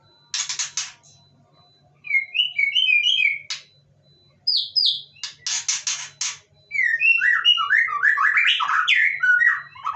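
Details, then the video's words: White-rumped shama, caged inside a cloth-covered cage, singing on and on in response to other birds nearby, a challenge meant to drive rivals away; loud varied whistled phrases alternating with harsh broadband bursts, rapid rising and falling notes, quiet low hum. "MURAI BATU Didalam Krodong Bunyi Terus Dengar Suara Burung Lain"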